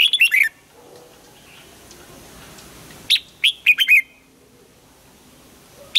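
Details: Red-whiskered bulbul morning song used for voice training, in the old wild-bird double-note style: a quick burst of three or four bright, warbled notes, a pause of nearly three seconds, then a five-note whistled phrase, over faint background hiss.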